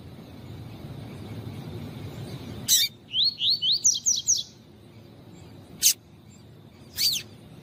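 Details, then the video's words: Double-collared seedeater tutor song of the tui tui style, paired with female calls to stimulate and train males. After a quiet start, a fast run of about seven high, sharply slurred whistled notes, then a few isolated sharp high clicks. "CANTO DO COLEIRO TUI TUI PROFESSOR COM PIADO DE FÊMEA DE COLEIRO PARA ESQUENTAR COLEIRO TUI TUI"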